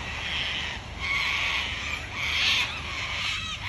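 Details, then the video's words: Wild Australian cockatoos screeching: long harsh raspy screams in overlapping bursts of about a second, with a steady low hum in the background. "Australian wild bird COCKATOO sounds"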